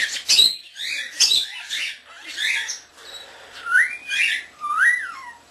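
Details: Young common starling whistling and imitating indoors; scratchy phrases give way to clear slurred whistles rising and falling, repeated roughly once a second, with thin high overtones.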